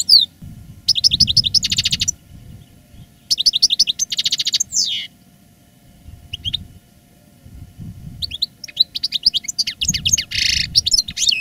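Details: Caged veteran master European goldfinch of the reclamo singing style, recorded live in 2017 after its moult, singing strongly: bursts of rapid, tinkling, buzzy twitters and trills alternating with short pauses, plus faint low room noise.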